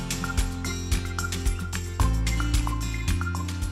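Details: Music with a steady low beat and clicking, dripping percussion; no animal voice is heard.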